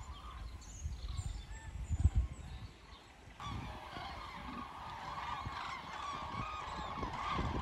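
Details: Migrating common cranes heading south over the Wetterau, Hesse, on 22 October 2022, from Bad Nauheim; a few distant calls and low thumping noise at first, then a dense chorus of trumpeting calls from about midway.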